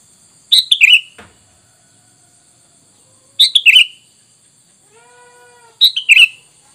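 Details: Sooty-headed bulbul on a lure track for drawing wild bulbuls: three bubbly phrases of quick falling chirps, spaced two to three seconds apart, with a brief soft low humming tone between the last two.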